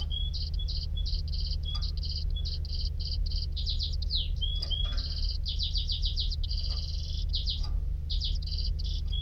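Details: Canary singing stuttering phrases of clipped high notes and fast trills, broken by short whistled notes, with the rhythm shifting constantly; low hum behind.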